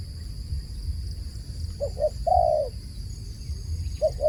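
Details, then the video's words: Two clipped coos and a long, slightly falling coo from a dove, then a pause before another pair of short notes begins; low rumble in the background. "សំឡេងលលកហៅបរច្រើន The sound of a dove calling"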